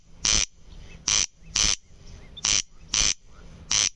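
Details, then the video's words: Rasping call of a corn crake (Crex crex): three loud doubled scrapes, each burst dry and mechanical-sounding. Brief faint chirps are heard in the pauses. "derkacz (Crex crex)"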